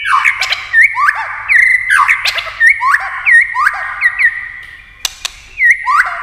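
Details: White-rumped shama in competition singing with many voices and tail-flick clicks: a series of loud upslurred whistles, each ending in a hooked flourish, repeated about every second, with sharp dry clicks near the end.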